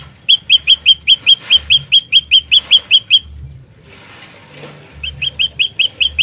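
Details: Lure song of an olive-backed tailorbird in fighter style. A long run of about thirteen loud, sharp, repeated chip notes is followed by a quiet gap, then a fresh run of similar notes. Soft low hum in the background.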